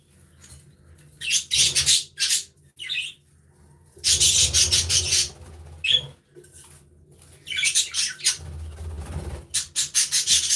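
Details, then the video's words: Playful budgerigars in an aviary produce repeated bursts of harsh, buzzy chatter and sharp chirps, broken by short pauses, with a soft low rumble in the background. "Happy Budgies Sounds"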